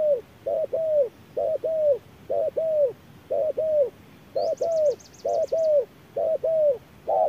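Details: Spotted dove dueling a decoy bird in the midday sun, giving regular short-long coo pairs about once a second, the longer note curving downward, while another bird adds a brief rapid high trill.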